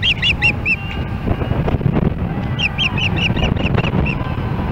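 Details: Missoula, Montana, July 4, 2016: an osprey at its Hellgate Canyon nest calls as another osprey comes near. A short series of shrill whistled notes gives way, after a pause, to a longer string of repeated chirps over a steady low background hum.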